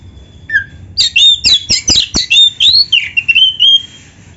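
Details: Oriental magpie-robin (kacer) in energetic 'gacor full isian' song meant for training songbirds: one soft whistle, then a fast run of sharp high chips and twisting whistled notes, ending in a long, level, sweet whistle.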